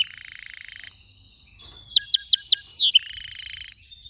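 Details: Canary singing a soft buzzy rattle, a short pause, four sharp repeated chips and a swooping slurred whistle, followed by another buzzing trill.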